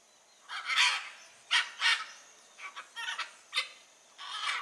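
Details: Wild blue-and-yellow macaws in nature giving harsh, raspy squawks in short bursts, several loud grating cries spaced irregularly over a few seconds, with quiet pauses between.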